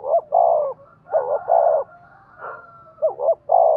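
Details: Lure recording of a 'giọng đồng' spotted dove for enticing 'giọng thổ' birds: soft two-note hoot followed by a long throaty coo, repeated twice, with faint thin tonal lines behind.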